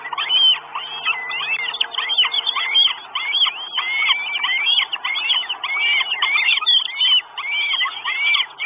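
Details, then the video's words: Northern goshawk nestlings, four chicks in an Estonian nest on 1 June 2022, beg for food before a live camera with a long stream of piercing arched whistles, overlapping and repeated, loudest near the start. "4 CHICKS WISH FOOD. NORTHEN GOSHAWK."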